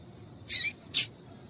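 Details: Papa-capim (yellow-bellied seedeater) female call meant to make males sing: a slightly longer high, buzzy note quickly followed by one sharp chip.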